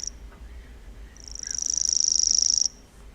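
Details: A Common Grasshopper Warbler, newly arriving in April 2021 at Urdaibai on the Cantabrian coast, where it breeds, reels: a high, dry, cricket-like trill of very rapid ticks held at one pitch, with faint hum.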